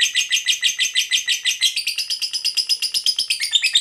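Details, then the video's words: Long ngekek chatter from a fighter lovebird, played to provoke other lovebirds into calling: rapid, rasping high-pitched notes pulsing steadily without pause, shifting slightly higher partway through. "Pancingan Suara Lovebird Ngekek Panjang"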